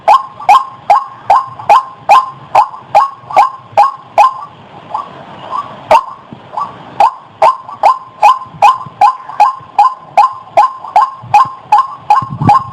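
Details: White-breasted waterhen call used to lure birds: rapid repeated harsh notes about 2.5 per second, a short break with a faint hiss near the middle, then the same steady series resumes.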